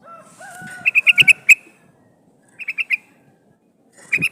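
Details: Sooty-headed bulbul female in heat calling to a male as a lure for wild birds; soft whistled notes then six brisk chirps, a three-chirp burst, and another quick run at the end.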